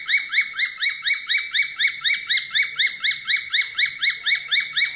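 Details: Falk bird whistling song, meant as a daily training tutor for other falk birds: a fast, very regular string of short upslurred whistled notes, about four per second, bright and high, with a quiet background.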